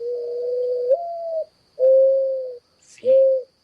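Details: Mourning dove, in a Michigan winter birding quiz, giving the mournful call it is named for: soft, low coos, a long note sliding upward, then two drawn-out steady hoots, with a faint high electronic whine behind.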